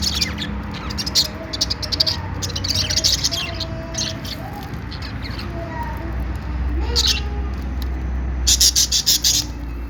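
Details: Parakeets singing happily, budgies giving fast trains of high ticking chirps with a few lower drawn-out tonal notes beneath, ending in a loud burst of chatter, over a constant low rumble.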